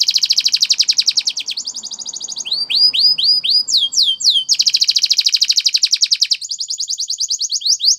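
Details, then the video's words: Training song of a Spanish Timbrado canary: dense metallic rolls alternate with series of looping, downward-swooping whistled notes, each phrase repeated several times before switching. "Many canaries join in singing after listening to this song"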